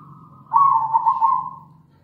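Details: Singing local zebra dove, or perkutut, in a lure recording meant to set other doves singing: a single loud, warbling, trilled coo about one second long, with a faint coo just before it.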